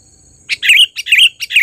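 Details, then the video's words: Sooty-headed bulbul, trained and singing eagerly, delivers a loud lure call as three rapid bubbly whistled phrases in quick succession, each rising then dipping, with a faint continuous high tone behind. "suara pikat burung KUTILANG GACOR...Terlatih dan panggilan keras!!"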